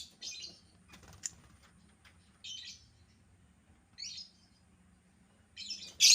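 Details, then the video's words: Albino lovebird: brief raspy chirps spaced about one and a half seconds apart over a quiet background, ending in a loud harsh screech. "burung lovebird albino yang jadi primadona"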